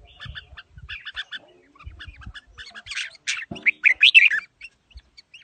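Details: Red-whiskered bulbul, a fighting bird with a forest-style voice, giving rapid repeated chattering notes that build to a loud run of warbled, looping whistles, with low knocking sounds underneath at the start.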